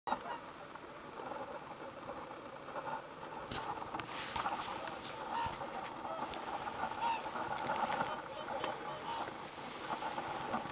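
Black grouse at an autumn lek: a steady, low bubbling chorus broken by sharp, hissing sneezes every few seconds.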